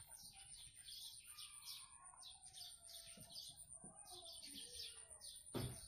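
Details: Blue-crowned hanging parrot in full voice: clusters of high, piercing chirps with some lower warbled notes between, ending in a sharp knock near the close; faint background hum and whine.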